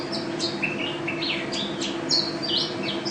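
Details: National first-place champion mountain white-eye (pleci) singing in gacor ropel style: high, quick chirps and down-slurred whistles in a busy scatter, over a steady low hum.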